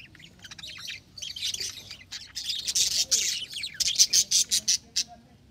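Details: Captive budgerigars in an aquarium exhibit in Mysore chatter with harsh, scratchy squawks and quick high chirps, several birds calling at once.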